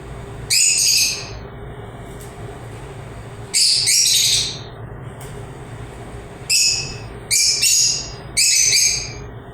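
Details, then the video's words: Chirping lovebirds give five loud, shrill, high-pitched bursts, some paired close together, each a quick jumble of squeaky notes, with faint short chirps in the pauses and a low hum underneath. "LOVE BIRDS CHIRPING SOUNDS"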